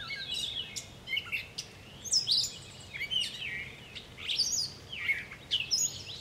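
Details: A catbird sings on 10 July, a rambling string of varied squeaky, scratchy and whistled phrases, each brief and jumbled, with barely a pause between them.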